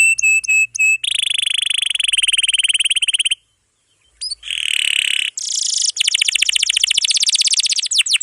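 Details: Atlantic canary long-roll song meant for tutoring young canaries and ones that quit singing: flat whistled notes, a long even roll, a silent gap, buzzy bursts, then a fast trill.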